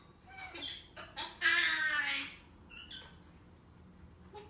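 African grey parrot giving short chuckling notes and a burst of harsh, hissy sound like a sneeze, then a few squeaky whistles; a quiet room.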